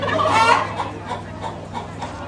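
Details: A chicken making a fuss: one loud, harsh squawk near the start, then softer repeated clucking notes that fade. Steady low hum in the background.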